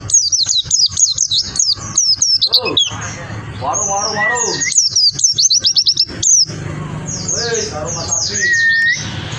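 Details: White-eye singing vigorously: rapid runs of high, thin, sharply falling chirps, bursts of quick notes, a few lower warbled phrases and a short rising whistle, loud and continuous throughout.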